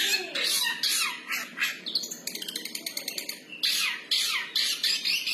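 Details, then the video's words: Freestyle singing from an actively vocal long-tailed shrike: grating, buzzy phrases, then a fast burst of clicking ticks. Loud, rough notes follow, separated by brief pauses. "Burung cendet Bersuara gaya bebas"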